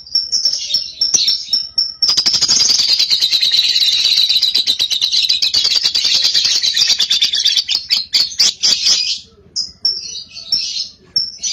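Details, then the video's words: Cobalt lovebird, a young bird, in a long ngekek meant to spur another lovebird into singing: shrill high chirps lead into a continuous rapid rattling trill lasting about seven seconds, then broken squeaky twitters. "PANCINGAN LOVEBIRD PAUD COBALT | AGAR RAJIN NGEKEK"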